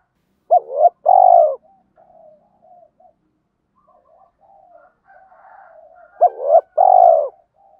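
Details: Spotted dove coo used to train caged birds: two coo phrases about five seconds apart, each a quick upward-bending note and a longer throbbing one, with soft scattered chirps filling the gap.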